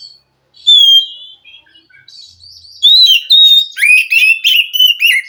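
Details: Oriental magpie-robin from the wild forest, singing to stir a captive bird that will not sing. A clear drawn-out whistle, a quiet pause, then repeated loud sweeping whistled phrases mixed with sharp chirps.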